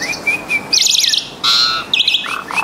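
Asian pied starling song: a long thin whistle, then buzzy chattering bursts and short clear whistled notes in a varied, quick jumble.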